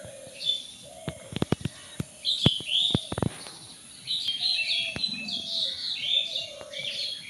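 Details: Hidden birds twittering in a garden, many high chirps overlapping, broken by several loud clicks and knocks in the first half, then a steadier stream of chirping.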